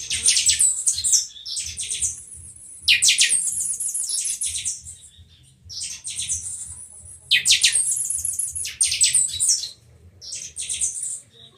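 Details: Pixoxó, the Buffy-fronted seedeater, from Rio de Janeiro, in chanchão matildas song with viração: near-continuous, shrill, high, rattling and whistled phrases in long strings with brief gaps, over a soft low droning background.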